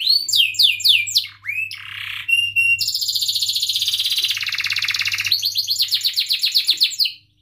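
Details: Canary singing gacor with cuit-cuit chirps and rolls as a lure for young learning canaries: falling chirps, a harsh buzzy note, then long rapid trills changing pace and pitch, ending in silence; soft steady hum throughout.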